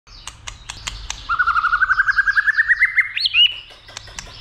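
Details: White-rumped shama, stirred up to sing at length and to fight, flicking its tail: a rapid series of short notes climbing steadily in pitch, ending in a sharp upslurred whistle, with faint chirps before and after.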